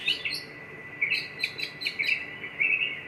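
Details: Short stretch of white-rumped shama singing, Jogja: high chirped notes repeated roughly every half second, crisp and whistled, over a faint steady hum.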